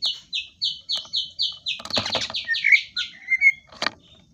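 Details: Greater green leafbird delivering a rapid series of identical high, down-slurred buzzy notes, about four per second, then turning to looser warbled whistles, with a few knocks.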